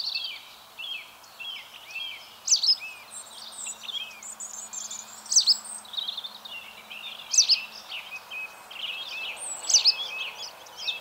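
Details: White wagtail recorded at Mønsted on 27 March 2020, uttering sharp, high twittering notes with strong accented chirps roughly every two to two and a half seconds, over low steady background hiss.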